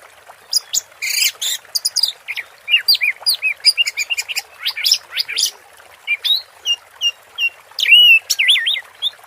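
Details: Long teler song from an orange-headed thrush during water therapy: a continuous stream of varied whistles, looping slurs and sharp high chips, with brief trills and strong rising notes toward the end.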